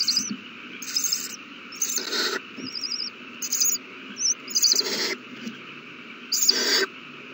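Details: Owl chicks beg while being fed, recorded 27 March 2020: several harsh, broadband hissing screeches, each about half a second long, with high wavering trilled whistles between them over a steady background hum.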